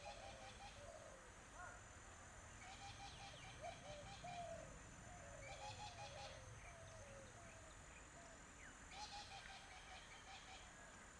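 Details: Coots calling on the water: a steady run of short, nasal, slightly rising notes from several birds that overlap, with bursts of harsher, wider-band calls at intervals over a low background rumble.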